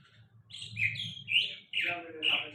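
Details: Bird song of clear, high whistles that slide and waver, given in several drawn-out notes with brief pauses, over a soft low background hum.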